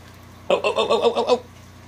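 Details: Pet cockatoo, playful and vocal indoors, barking and teasing: a rapid run of about seven hoarse, pulsed bark notes lasting under a second, against a quiet room hum.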